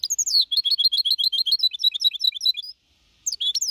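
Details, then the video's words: Clean Copia Malaga song from a young goldfinch hybrid of four and a half months, 2021. A continuous stream of fast, bright twittered notes for almost three seconds, a brief silence, then the twittering resumes. "Mixto de Jilguero Cantando Limpio (Copia Malaga) 2021 🎶 Tiene 4 meses y medio"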